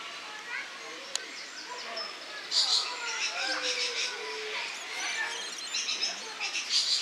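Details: Several lorikeets filmed in August 2015 keep up a noisy chorus of raspy screeches and squeaky chatter, louder clusters of calls repeating every second or so after a quieter opening.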